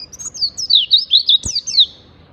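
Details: Oriental white-eye singing in ngalas style, played as a lure to get caged birds to open their beaks and sing. Rapid, thin, high whistled phrases slide downward, about eight notes in two seconds, with one sharp click midway.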